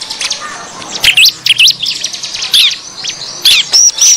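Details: Agitated bar-winged prinia calls used as a lure to draw in wild birds: high, scratchy chirps and wavering whistled notes in short bursts, with a few clear, thin whistles near the end over a faint low hum.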